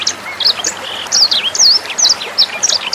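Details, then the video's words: Sanger bird song used as a tutor recording for training young sangers and other songbirds, with trickling water added. Sharp high whistled notes and quick downslurred chirps sound in rapid bursts, several per second, over steady faint background hiss. "SUARA MASTERAN BURUNG SANGER NEMBAK JERNIH + GEMERCIK AIR"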